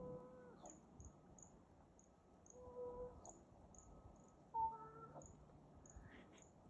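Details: Common Raven making silly, unusual noises while two Cooper's hawks mob it and chase it off from a small woodlot. Three spaced, hollow, tonal notes with ringing overtones sound amid thin, high chips from other birds.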